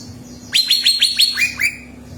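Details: Greater green leafbird sings to prompt another bird to sing: a quick series of seven sharp, downward-slurred whistles, the final two pitched lower, repeated about every seventh of a second, over a faint hum.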